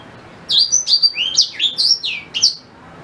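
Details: A black-throated canary sings one lively phrase of high, quickly slurred whistled notes, rising and falling, about two seconds long; recorded as a tutor song for white-rumped shama.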